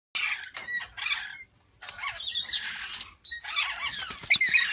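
Yellow-streaked lory giving harsh, high, screechy squawks in ragged bursts, with brief pauses between outbursts; strained, grating tones throughout.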